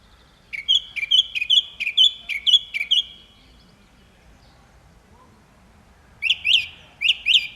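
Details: Song thrush singing: a phrase of about seven clear, rapid whistled notes repeated in quick succession, a pause of roughly three seconds, then a second phrase of four sharper, higher notes; quiet background.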